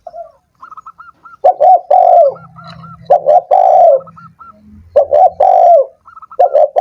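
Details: Spotted dove cooing to encourage doves that have gone quiet: repeated phrases of short and long hoarse coos, interleaved with lighter, higher coos from another dove, over an intermittent low hum.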